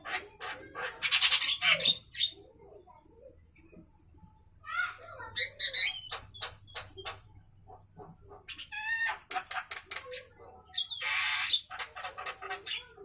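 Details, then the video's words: Javan myna at midday delivering loud harsh grating phrases and rapid buzzy pulse trains, broken by quieter gaps, with a faint background hum. "suara asli Burung jalak kerbau Siang Hari"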